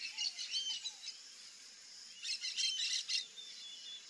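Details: Rufous-tailed jacamar giving a quick run of sharp, high chipping notes in a dense burst, with a few thin upslurred whistles and soft low whistles, against a constant buzzing insect background.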